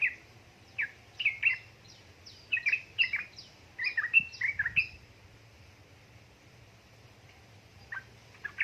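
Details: Yellow-vented bulbul used as a lure to get idle birds singing, female calling male: bursts of quick, bubbly, warbled notes in clusters during the first five seconds, then near silence with a few final chirps; quiet low hum underneath.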